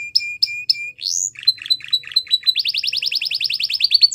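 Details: Belgian canary song meant to train young canaries: three sharp chipped notes, a rising whistle, low stuttering notes, then a long fast even trill of high bright pips.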